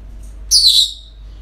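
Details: One brief, piercing, harsh parrot squawk, slightly falling in pitch, recorded on a typical day at a breeding centre against a soft low background hum.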